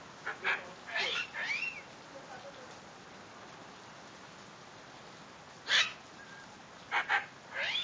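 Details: Pet female medium sulphur-crested cockatoo, cheerful after seeing rain: a run of harsh rasping squawks, a few seconds of near silence, then a loud screech and a closing cluster of grating calls.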